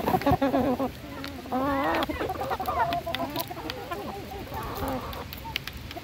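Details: Feeding hens: loud wavering cackles and rising-falling drawn notes in bursts, several birds calling over one another, pecking clicks between.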